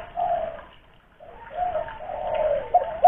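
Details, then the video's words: ['Spotted dove lure recording from Kuningan, West Java: brief soft coo, a pause, then a longer run of low blurred coos.'] "raja pancingan burung tekukur / derkuku"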